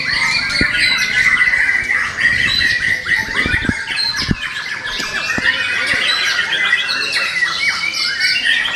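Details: Caged young White-rumped shama from the forest keeps up a busy song of chirps, trills and whistles around a steady tone, with scattered sharp taps and knocks.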